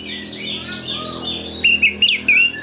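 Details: Oriental magpie-robin with a soft, wavering warble at first, then a few loud, bright whistled notes rising and falling sharply in quick succession.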